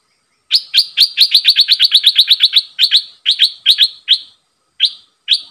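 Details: Red-eyed bulbul kept as a decoy bird, calling at wild birds: a fast series of sharp, clipped chip notes, roughly two to four per second, that break into spaced single notes toward the end. No other sounds.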